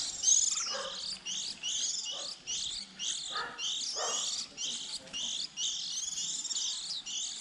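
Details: Young white-eyes early in the season, heard as a lure for trapping: a continuous stream of sharp, high, twittering chirps broken by short gaps about every second, many birds overlapping.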